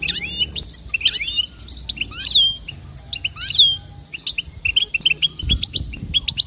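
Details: Calls of a female European goldfinch aimed at making males sing: scattered bright chirps with a few longer, sweeping downslurred notes, then a brisk run of short tweets near the end.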